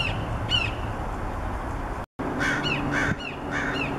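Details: Red-shouldered hawk giving slurred, descending cries: a single call first, then after a short break a quicker string of four or five. A constant low outdoor hum runs underneath.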